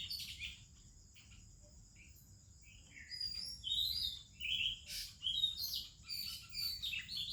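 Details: Oriental magpie-robin, likely male, singing in the morning in India, varied sweet whistled phrases rising and falling after a quiet start, over a steady high insect hum; song serves territory defence and mate attraction.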